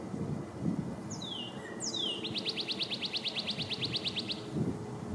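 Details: A male northern cardinal in a backyard sings while feeding in 2020. Two long downslurred whistles come first, then a rapid run of about fifteen short repeated whistled notes. A low background rumble runs throughout.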